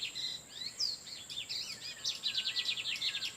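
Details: Lined seedeaters in the wild, males trading song beside an incubating female: a dense tumbling phrase of sharp slurred notes that speeds into a rapid pulsing trill, over a thin constant whine.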